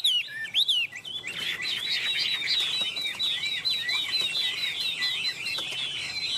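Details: Chinese hwamei perched on a person's hand, singing a dense rapid series of high twittering and slurred whistled notes after a couple of louder opening phrases.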